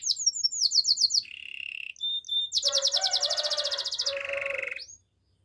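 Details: Canary song for training, made of rapid repeated chirps, a lower rolling tone, two brief pure notes, then a long loud buzzy trill and a lower roll before the singing stops abruptly.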